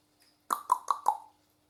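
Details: One of two pet African grey parrots in a house gives four quick, hollow whistled notes in about a second, each slightly lower than the last, with a faint hum behind.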